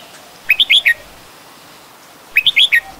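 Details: Red-whiskered bulbul, an adult, Ubon Ratchathani, Thailand, 16 December 2020; two identical lively phrases about two seconds apart, each a quick run of four rising-and-falling whistled notes, clear against a quiet background.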